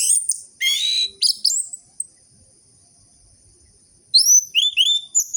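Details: Captive orange-headed thrush song meant to stimulate birds that have stopped singing: high chattering bursts early, a long pause, then a quick run of rising and falling whistled notes.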